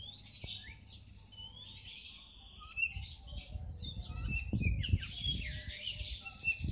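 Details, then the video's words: Kacer bagong, an Oriental magpie-robin, sings long buzzy sweeps and whistled slides, then a dense burst of rasping, chattering notes, while low rumbling and knocks sound beneath. "burung kacer bagong"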